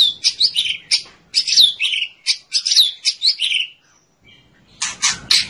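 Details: White-rumped shama song, used as a master recording to train other birds to sing; rapid sequence of sharp, high whistled and chattering notes repeated several times a second, a brief pause, then a dense burst of loud scratchy notes.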